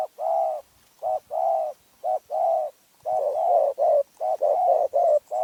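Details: Spotted dove of Phrae, Thailand, known for a small, fierce voice. It gives repeated short-long cooing couplets that quicken and crowd together toward the end.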